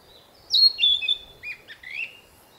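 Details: Territorial song of a Narcissus flycatcher newly returned to its forest breeding grounds; a clear, loud whistled phrase that drops in steps, then a few shorter rising and falling notes, with quiet surroundings.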